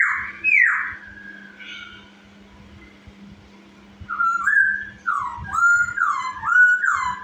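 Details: Chinese hwamei song used to provoke other birds into singing, with sweeping whistled slurs, a long falling note, a quiet pause, then a run of bright, looping whistles and chirps over a constant low electrical hum.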